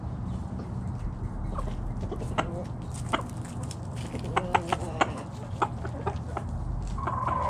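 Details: Backyard chicken flock foraging in the morning, giving scattered soft clucks and short calls over a steady low background hum, with one brief tonal note near the end.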